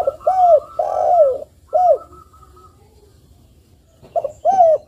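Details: Energetic spotted dove cooing, aimed at stirring other doves to call back. Several hoarse, downward-curving coo notes come close together, then a quiet gap, then two further coos. A fainter, higher, even-toned note line sounds alongside the opening notes.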